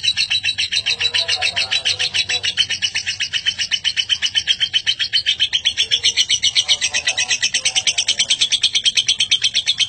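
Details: Long lovebird ngekek chatter suited to training other birds: dense, rapid buzzy pulses about four per second, unbroken, with faint lower chirps mixed in.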